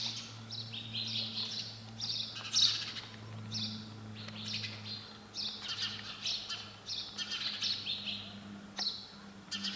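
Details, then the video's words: Sparrow calls: a run of quick, high chirps and squeaky twitters coming in irregular bursts, over a constant low droning hum. "Sound of sparrow bird"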